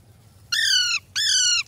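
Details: Caged Ringneck and Alexandrine parakeets give two loud, grating squawks. Each lasts about half a second and falls slightly at the end, with a short gap between them over a low background hum.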